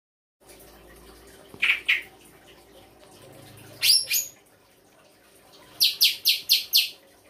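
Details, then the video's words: Songbird singing a full 'isian' (learned fill-in) song: a pair of buzzy chirps, a sharp high double note, then a fast run of five bright, even high notes, over faint low background hum. "FULL ISIAN RAI GOSONG K9NCER"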